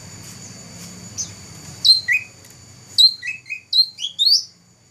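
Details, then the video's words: Song of a black-throated laughingthrush that won first place in a bird competition, from 2014: after a faint murmur of low noise, bright rising whistles come in short bursts, some dipping lower and others climbing higher. "Burung cucak rante juara 1"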